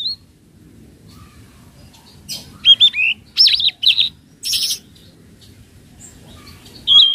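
A flowerpecker gives thin, high, sharp chips and short trills in several quick bursts, over a faint low background hum.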